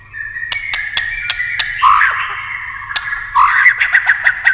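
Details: White-rumped shama in competitive many-voiced singing with sharp tail-clicks: a long steady whistle, then rising slurred notes, with crisp clicks repeated between phrases and a low background hum.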